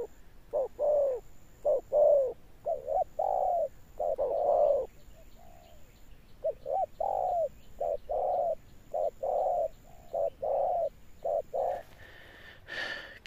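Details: Spotted dove cọp with a deep thundering coo and an enduring final note, cooing over and over in short clipped notes and longer drawn-out downslurred coos, with a steady high whine behind and a brief harsh noise near the end.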